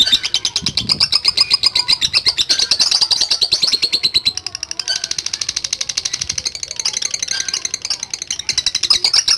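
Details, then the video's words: Lovebird singing a long ngekek, dense rapid chattering notes run together into a continuous high, buzzy trill with a brief dip midway before resuming. "LOVE BIRD GACOR NGEKEK PANJANG"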